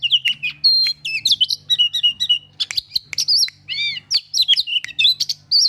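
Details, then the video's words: Oriental magpie-robin, worked up on seeing a rival, pours out loud, sweet whistled phrases. Sharp upslurs, downslurred notes and quick chirps alternate in a busy, nonstop stream over a faint low mechanical hum. "burung kacer emosi ketika lihat lawannya"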